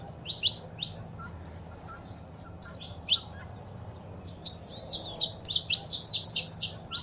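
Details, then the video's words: Female saffron finch calls and male song, used to stimulate a pet bird to sing; scattered high chirps give way after four seconds to a dense, fast burst of bright repeated notes. "Foguea seu Canário da Terra com Esse Piado de Fêmea e o Macho Cantando"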